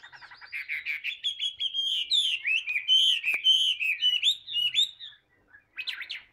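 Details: Captive tame hwamei pouring out a continuous whistled song, with stuttered notes at the start, then fluid rising and falling phrases, a short pause and a brief burst at the end.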